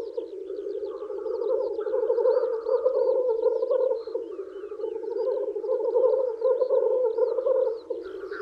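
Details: Spring lek of male black grouse courting females: an unbroken low, throbbing bubbling chorus, swelling and easing in waves, with a scatter of thin high chirps from other birds overhead.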